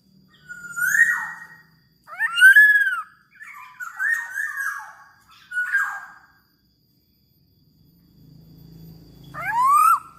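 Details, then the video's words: Kepodang (black-naped oriole) in prolific gacor song: a run of short nasal, grating notes and looping whistles, a few seconds of quiet, then a bright upward-curving whistle. "Burung Kepodang Super Gacor"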